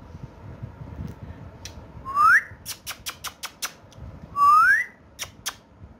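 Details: Indoor pet talking parrot, known for Urdu/Hindi speech: two loud upward-sliding whistles about two seconds apart, separated by a rapid run of dry clicks and taps.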